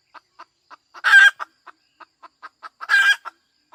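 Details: A hen clucks steadily in short, clipped notes, then lets out two loud, grating squawks, each followed by a few more clucks.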